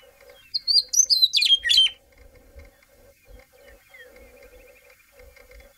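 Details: Western meadowlark (Sturnella neglecta) in Montana gives one bright, flute-like song of about one and a half seconds, tumbling down into a gurgling finish; faint chirps, a low hum and soft thumps follow.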